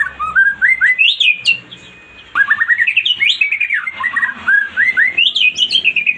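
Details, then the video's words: A white-rumped shama sings a lure meant to get a mute bird to respond, its varied whistled notes tumbling in quick descending runs, a silent gap around two seconds, then dense rising phrases. "1 DETIK MURAI BATU MACET BUNYI LANGSUNG RESPON"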